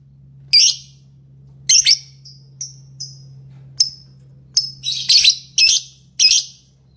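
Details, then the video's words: Lovebird song and chirps: a few isolated shrill notes and thin falling chirps, then a quick cluster of four rough, rasping bursts near the end; steady faint hum beneath. "Love bird singing & chirping sounds"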